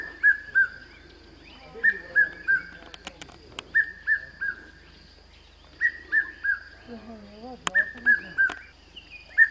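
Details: Red-chested Cuckoo (Cuculus solitarius, "Piet-my-vrou") at Pafuri, Kruger National Park, giving its loud, ringing three-note phrase, falling slightly in pitch and repeated about every two seconds, with faint low murmurs and a dog-like whine in the background.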